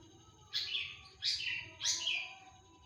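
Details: Cendet, the long-tailed shrike, singing actively: three loud, scratchy, falling bursts spaced about two-thirds of a second apart, each sliding down through a harsh buzz, over a faint steady high tone.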